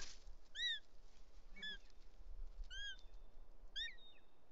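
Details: Bonelli's eagles at a nest in Els Ports, Catalonia, on a July 2023 afternoon, with the male carrying a snake for its young while an intruding female appears. Four sharp, arched whistles come roughly once a second, with a faint low hum underneath.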